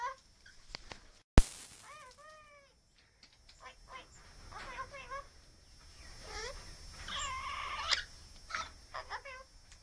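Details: Hand-reared pet Australian king parrot chatting; a sharp click, then a string of bright, repeated rising chirps and squawky talk-like syllables in short bursts indoors.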